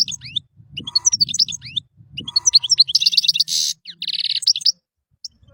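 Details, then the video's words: European goldfinch singing a one-hour masteran (tutor) song: rapid twittering of high thin notes, buzzy nasal bursts and rattling trills, phrases broken by short pauses, with soft low rumbling beneath. "Burung goldfinch eropa gacor suara mewah full 1 jam masteran"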